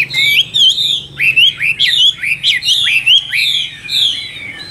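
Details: Chinese hwamei in a cage delivering loud whistled song, repeated downslurred and upslurred notes about three per second, clear and ringing, with a quiet hum in the background.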